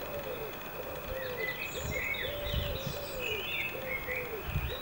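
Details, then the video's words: A blackbird sings outdoors: short, fluty, warbling phrases rising and falling, with high thin notes between them. A steady lower wavering tone repeats throughout, and low rumbling background noise runs underneath. "Singing blackbird"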